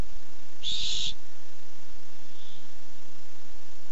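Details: Hungry barn owl looking for food, 8-7-15. A single strong, noisy screech, breathy and rasping, about half a second long. A faint brief echo-like hiss follows near the end, with soft background hum.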